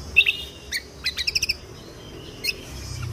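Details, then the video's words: Lesser green leafbird (kecial kombok) song in the 'tembakan kunti' style, used to train contest songbirds: a few sharp chirps, then a fast run of five ringing notes and a final chirp, with soft background noise. "Masteran Kecial Kombok Full Tembakan Kunti"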